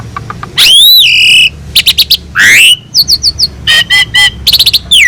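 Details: Asian pied starling singing constantly on a master recording packed with mimicked phrases for training other birds: a long wavering whistle, clicks, a rising slurred note, then fast repeated short chirps and whistled notes.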